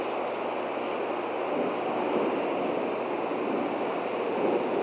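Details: Constant roaring wind and surf-like rush buffet the microphone throughout, with no animal voice.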